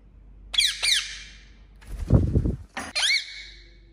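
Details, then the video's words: Talking parrot giving two sharp, high squeaky calls with bending harmonics, a burst of low rumbling noise midway, then a third squeal that glides downward and trails off. "Talking Parrot"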